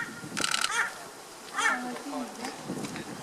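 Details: A white-shouldered starling on Ishigaki Island, Japan, on 30 March 2014, a scarce winter visitor or passage migrant there, gives short, harsh, chattering notes with wavering squeaky whistles, in two bursts about a second apart, over faint background noise.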